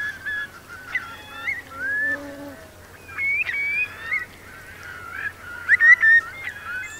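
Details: Eurasian curlews roosting in wet meadows at Marquenterre, Bay of Somme, during a high-coefficient tide, 7 October 2021, around 3,000 birds. Scattered slurred whistles and short rising notes, with a louder cluster of calls near the end.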